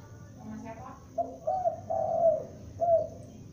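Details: A young spotted dove kept as a lure calls with a few drawn-out cooing notes, the longest held about half a second, above a low rumble and faint hiss.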